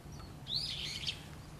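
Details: Female red-flanked bluetail on her non-breeding season territory gives one brief, high, rising-then-buzzy call, with a steady low hum behind it.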